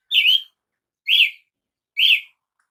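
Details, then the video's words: Three clear, slurred notes from a Brazilian tanager, evenly spaced just under a second apart, in otherwise quiet surroundings. "canto de Tiê sangue"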